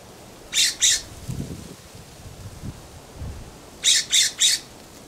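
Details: Harsh scolding from a California scrub jay perched in a backyard plum: two rasping squawks, a pause with soft low rustles, then three more rapid grating notes.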